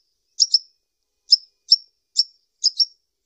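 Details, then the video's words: High, thin chip notes from a sunbird, the kolibri ninja, given singly or in quick pairs at irregular gaps of about half a second, with no other sounds. "SUARA BURUNG KOLIBRI NINJA"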